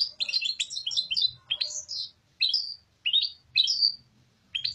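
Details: European goldfinch (Carduelis carduelis) singing the song style called "papadia": bright, high twittering phrases of quick tinkling notes, delivered in short bursts separated by brief pauses, with a few lower chattering notes between.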